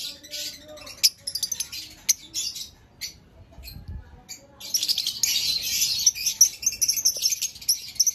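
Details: Several green Fischer's lovebirds: sparse shrill chirps and clicks for the first few seconds, then from about five seconds a dense, continuous high-pitched twittering chatter with sharp squeaky notes.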